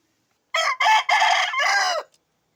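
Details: Full crow from a rooster that has recovered from illness, a loud, hoarse phrase of four connected syllables lasting about a second and a half, the last part drawn out and falling.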